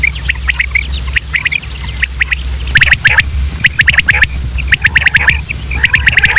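Common quail calling in quick bursts of sharp, liquid three-note phrases, several birds overlapping, over a steady low hum.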